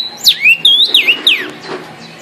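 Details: Vermilion cardinal song: loud, ringing whistled slurs that swoop from high to low and back, several linked notes in quick succession, then fading quiet with a faint low hum behind.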